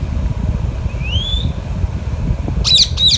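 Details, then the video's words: Alexandrine parakeet while eating mango: a thin rising whistled note followed, after a pause, by two harsh rasping squawks. "Alexandrine Parrot and Ringneck parrot talking natural sounds"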